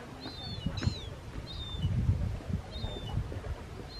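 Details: Mediterranean gull, a second-calendar-year bird with black wing feathertips, on Vlieland, Friesland, the Netherlands, 24 August 2024: several thin, clear, slightly slurred calls, some rising then falling, over low rumbling wind or engine noise.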